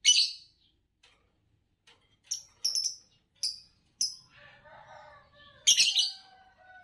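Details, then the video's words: Competition-winning green Fischer's lovebird in Indonesia opens with a loud harsh chirp, follows with several short high chirps, then low murmuring chatter and a final strident burst. "Spectacular Chirps from World Champions - Lovebirds Chirping Sounds"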